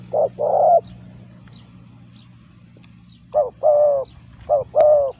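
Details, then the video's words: Lure call of a spotted dove: two paired coos, a brief note then a longer mellow one, a pause of about two and a half seconds, then two more pairs, with faint low background hum. "pikat burung tekukur"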